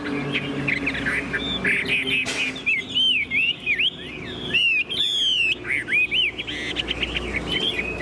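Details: Tame caged Chinese hwamei singing loud looping whistles in bursts, separated by short pauses and a couple of sharp knocks, the phrases clear and rising-falling.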